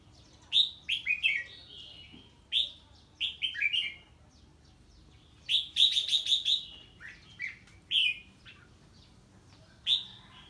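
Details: Red-whiskered bulbul singing in response to an unfamiliar bird: lively whistled phrases of two to four descending notes, one rapid chattering run near the middle, bursts separated by brief pauses.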